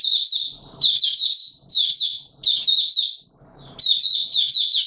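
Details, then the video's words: White-eye singing on 20 March 2022 in warm humid weather: four bursts of fast, high, slurred twittering, each about a second long with short pauses, and soft low rustles during the gaps. "Mata Puteh Raja Video 1 buka sing"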